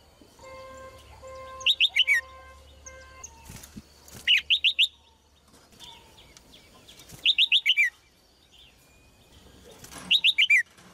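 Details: Female red-whiskered bulbul repeating a melodious four-note falling phrase roughly every three seconds, with sustained background tones early on and occasional rustling.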